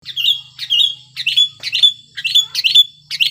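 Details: Sooty-headed bulbul in breeding condition, singing loudly to provoke silent bulbuls into song: a series of short, bright whistled phrases, each with a quick slurred upswing, roughly two per second, over a faint low hum.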